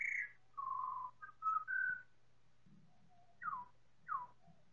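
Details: Chorus of four pied butcherbirds, time-stretched, giving long clear whistles followed by two steeply falling slurred notes, with quiet gaps and soft low rumbling between phrases.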